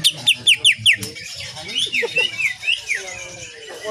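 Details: Greater green leafbird on a cage-bird training recording, singing with 'shooting' nyengklir phrases: five loud descending whistled slurs in quick succession, followed by a softer, varied warble of looping whistles.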